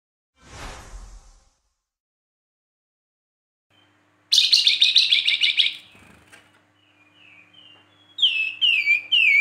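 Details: Flamboyan song, described as whistles, rapid 'tembakan' bursts and rough notes, opening with a brief noisy rustle, then a dense buzzy chattering burst, then a short series of clear descending whistled notes.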